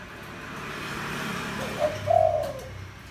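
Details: Spotted dove with a low, deep voice, played to provoke wild birds: a short note and a longer hollow coo over a steady low hum.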